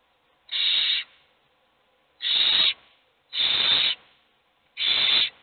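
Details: Owl chicks in a nest box, all hungry while just one eats, give rasping hissed begging screeches: four broad, noisy bursts of about half a second, irregularly spaced, with near silence between them.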